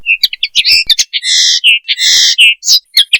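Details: Linnet mating call: chirps and twitters broken by two long, harsh buzzy notes, each lasting about half a second, then a few more quick chirps. The Linaria cannabina song stands alone, with no background.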